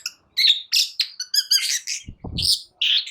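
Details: Scratchy, varied long-tailed shrike song used to goad quiet shrikes into singing. Sharp whistles and rasping notes, with a short low rumbling noise midway.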